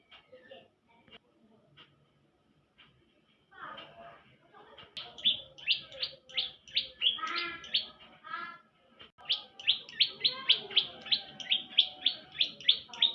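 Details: Young bar-winged prinia in lively song: after a few soft notes, a long run of sharp, high chirps repeated about three to four per second, rising in strength toward the end.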